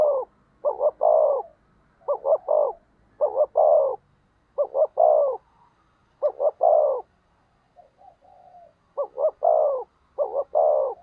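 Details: Decoy spotted dove calling to stir up rivals: steady series of deep, rough two- and three-note coos repeated about every second, one faint drawn-out coo in a gap, otherwise quiet background.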